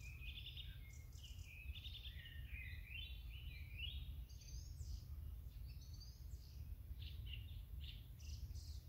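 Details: Great grey shrike wintering in the Netherlands in autumn or winter, filmed impaling and eating a mouse, gives a varied, chattering, nearly unbroken run of high, scratchy notes and short whistles over a steady low rumble of wind.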